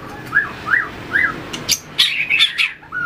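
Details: White-rumped shama, a trained bird, giving fighting song while flicking its tail and hopping between perches: three soft rising-falling whistles, then a burst of loud, bright, high chirping notes and a closing whistle.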